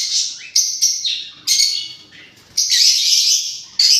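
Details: Parrot producing shrill, noisy calls with a few whistled upward slides, then a long sustained raspy screech near the end.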